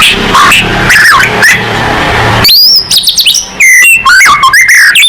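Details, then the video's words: Vigorous white-rumped shama song aimed at provoking other birds to sing: muffled notes at first, then sudden loud, high, rapidly sweeping whistles and chattering trills. "MURAI BATU GACOR|Hanya cukup 5 detik Langsung NYAUT!!"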